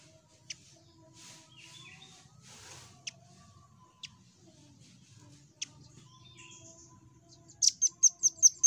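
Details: Nuthatch singing to trigger song in other birds: soft rustling and occasional sharp ticks, ending in a rapid series of about seven loud, very high repeated notes.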